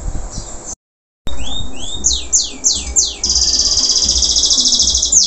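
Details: Local canary after its moult, still singing vigorously: rising whistled sweeps and a run of steeply falling slurred notes, then a fast, even, buzzy trill held for about two seconds after a brief silence; faint low hum beneath.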